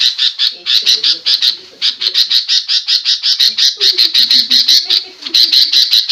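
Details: Sooty-headed bulbul giving noisy calls said to make other birds answer aggressively; harsh, rapid chattering notes repeated almost three times a second in a dense, continuous run, with faint lower squeaks beneath.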